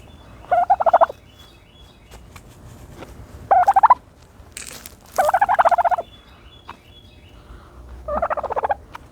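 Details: A turkey dust-bathing in dirt gives four short, rapid rattling bursts, each about half a second long and several seconds apart, with a brief scratchy rustle between them.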